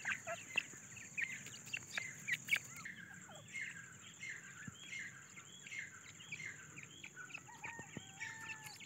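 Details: Grey francolin chicks looking for food, uttering scattered high squeaky chirps, a few loud sharp notes early and softer repeated peeps later, with some longer thin whistles toward the end and a steady high hiss behind.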